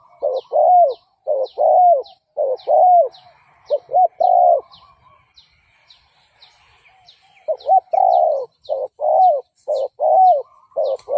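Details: Spotted dove cooing as a decoy to lure fighting males: repeated low, rounded coo phrases with rising-falling glides, pausing briefly in the middle while small high chirps from another bird continue throughout.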